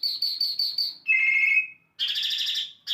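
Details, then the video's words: Singing Asian lark: a run of five quick high chirps, then a lower drawn-out whistled note, a short silence and a dense buzzy trill. "asian lark singing bird"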